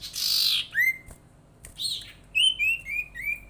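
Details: Sirtu bird call used as a lure to get other sirtu or cipow birds calling; a harsh, broad squawk followed by short downward-sliding whistled notes and a series of quick chirps dropping in pitch, quiet room background.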